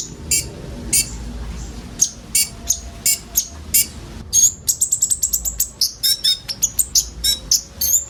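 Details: Common ioras singing together, filled-in song used to lure sunbirds: scattered sharp chips at first, then a rapid, accelerating burst of thin high ticks and whistles.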